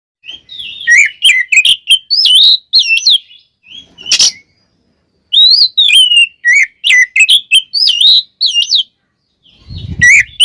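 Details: Oriental magpie-robin in full song, rich in mimicked fill phrases and used as a lure to rouse other magpie-robins. Loud whistled phrases rise and fall in bursts, with short pauses and a brief low thump near the end.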